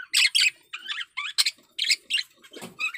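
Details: Budgerigar male in breeding condition giving choppy, scratchy chirps and buzzy squawks in rapid short bursts, roughly three or four per second.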